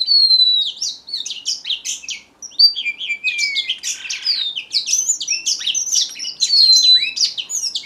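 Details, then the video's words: Strawberry finch singing a dense, continuous stream of high chirps and twittering notes, broken by a few drawn-out whistles that slide downward, with no other clear sounds. "BENGALI ROJO - STRAWBERRY FINCH SINGING"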